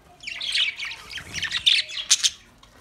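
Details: A budgerigar kept as a pet warbling: a quick run of high, scratchy chattering notes, ending with two sharp squeaks.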